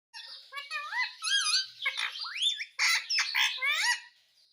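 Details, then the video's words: Pet Indian ringneck parakeet giving a run of varied, clear, harmonic calls: rising and falling whistled notes and short squawky bursts in quick succession over about four seconds, indoors, no other clear sounds. "Parrot voice"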